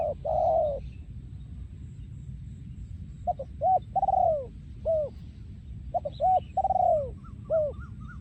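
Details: Yon ku ang song of a breeding male spotted dove, Thailand 2023: a long coo, then two phrases each of short paired coos, an arched note and a long downslurred coo, with faint higher chirps and low rumble.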